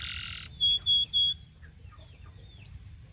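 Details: Belgian canary singing as a tutor for young canaries: a short buzzy roll, then three clear ringing whistled notes, followed by scattered soft notes and one upward swoop, over a low hum.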